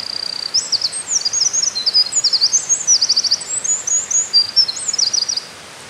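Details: A Eurasian wren sings loudly and vigorously from a mossy perch on 13 May 2019, pouring out a high, rapid song of sharp notes and fast trills that runs about five seconds without pause.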